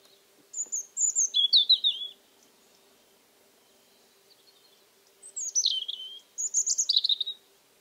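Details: European Robin song at dusk by an old Alentejo house among cork oaks, mid-October 2014, unseasonably warm: two bursts of high sweet descending warbles separated by a silent gap of about three seconds.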